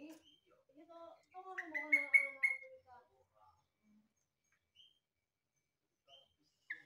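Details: A yellow-vented bulbul, known as trucukan and likened to the green leafbird, delivers a rich warbled phrase of descending and rising whistles lasting about two seconds, then falls mostly quiet apart from a few isolated notes.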